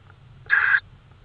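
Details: Tawny owl in Estonia at 22:30 on 5 May 2013, night: one rough, breathy screech of about a third of a second, standing out against a quiet humming background.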